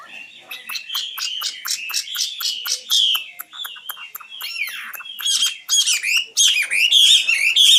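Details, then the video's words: Common nightingale song: a fast series of short repeated clicks and chips about eighty to ninety per minute, building into swooping slurred notes and ending in loud, sharp, whistled phrases. "Best singing nightingale"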